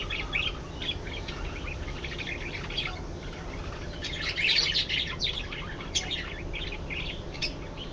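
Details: Several budgerigars keep up a steady, scratchy warble of fast chirps and squeaks, growing louder and denser midway before easing into scattered peeps.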